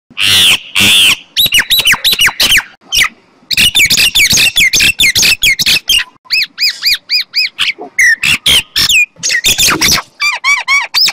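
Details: Common myna song: a dense, varied run of loud squeaks, harsh squawks and clicks, with arched whistled notes repeated in a quick series near the end; no other sounds stand out.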